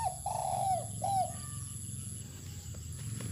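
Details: Spotted dove put out in the sun on open land, ending a phrase with a long falling coo and a short final coo, followed by quiet stretches with low-pitched background noise and faint distant twitters.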